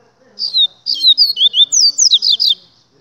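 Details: Double-collared seedeater, the 'gladiador', singing a rapid, twittering phrase of high slurred whistles and chips, rising and falling over about two seconds, ending in quick descending notes; faint voices in the background.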